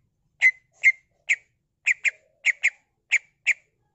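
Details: Greater green leafbird in full singing mode, showing off its imitations: clear, slightly downslurred chirps, some single and some in quick pairs, spaced irregularly over a quiet background.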